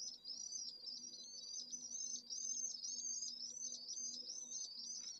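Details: Lone Pallid Swift nestling, Jerez de la Frontera town centre, 25 August at midday in a severe heatwave topping 44ºC; continuous high, trilling zigzag notes, about two per second, over a faint background drone.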